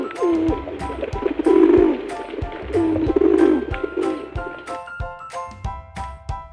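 A pigeon gives low, throaty, rolling coos in two drawn-out phrases, followed by bright, plinking music notes.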